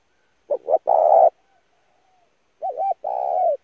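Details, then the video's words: Spotted dove used as a lure call for training decoy birds: two cooing phrases, each a short doubled note then a long rough coo, separated by a pause with a faint quiet coo between. "kích mồi tập bổi chim cu gáy cực chuẩn / thúc gù căng lửa"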